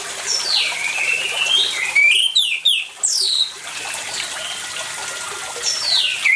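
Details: Lively orange-headed thrush singing over running water, meant to coax quiet birds into song: long downslurred whistles alternate with quick, sharp, varied phrases, the melody restarting after short pauses against a continuous watery hiss.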